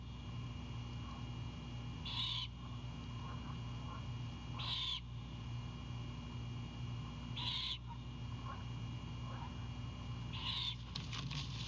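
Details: Great horned owlet greets its mother bringing a whole Anhinga to a Savannah nest at night, 4/7/22: four raspy, hissing screeches roughly every two and a half seconds, soft faint notes between, and a burst of clicks and rustling at the end over low hum.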